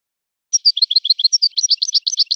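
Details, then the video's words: Wild-born European goldfinch trained to sing in a particular breeder's song style: quick, bright twittering phrases of high chirps and short slurred notes, starting after half a second of silence and running steadily to the end. "طائر من طيور لي تاتغرد على نمط طيور سي حسن الكلوب ولد الغابة"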